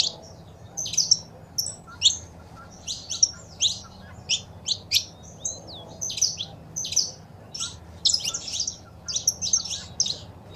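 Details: Saffron finch calls from a recording of female calls and male singing for stimulating a caged bird: scattered sharp high chirps and a few upslurred whistles, spaced irregularly, softer than the surrounding song passages.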